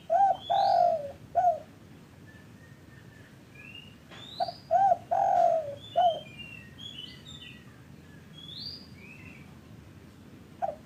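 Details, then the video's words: Spotted dove calls, used as a lure to prompt caged or newly caught doves that are silent or reluctant to call: two mellow cooing phrases, each of short arched notes and a longer drawn coo, with thin chirps of other small birds above. "pancingan derkuku TEKUKUR bahan, macet, malas cepat BUNYI"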